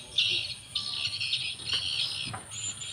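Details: Chattering of edible-nest swiftlets inside a four-storey swiftlet building in Banyuwangi, East Java: a thick wash of high, buzzy chirps in short overlapping bursts over a low background hum.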